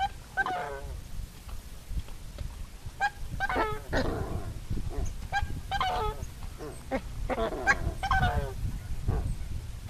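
Coscoroba swans give nasal, goose-like honks in short bursts, several overlapping every second or so, over a steady low rumble of wind.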